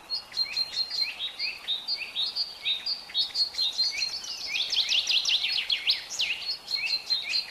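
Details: Young bulbuls beg with a rapid, insistent stream of high, thin chirps and squeaky notes as their mother feeds them, several per second, growing busier toward the end.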